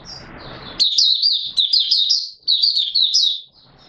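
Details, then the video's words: Oriental white-eye, locally Mata Puteh Raja, singing its opening song on 24 March 2022; after a hissy start, rapid thin chattering phrases run in quick bursts of high slurred notes. "Mata Puteh Raja Video 1 buka sing"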